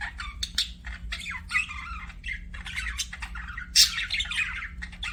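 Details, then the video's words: A budgerigar chirps and warbles continuously, mixing bright rising whistles with scratchy, rolling chatter and a sharp squeak near the middle, against a low constant hum. "BUDGIE CHIRPING SOUNDS"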